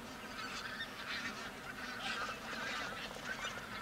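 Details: A large flock of pink-footed geese feeding on left-over grain near Verdal, Norway, in October 2018, calling in a steady, overlapping chorus of high, nasal honks and yelps with no pause between voices.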